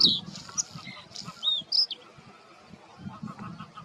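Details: Male Bluethroat singing from reed beds to claim territory, a varied song copying other birds. A few loud, sharp, high whistled notes and slurred chirps come in quick succession, then quieter scratchy sounds.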